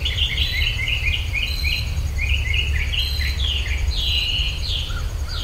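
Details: Birdsong in rural Virginia, recorded with a stereo pair of ultrasonic microphones: several overlapping bright chirps and short twittering phrases, some rising and some falling, sound almost without pause over a steady low rumble.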